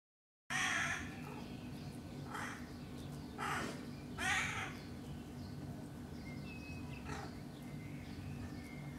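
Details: Young crows in a tree between houses, giving harsh, nasal, drawn-out cries at irregular intervals, about five calls over several seconds, over a steady low hum.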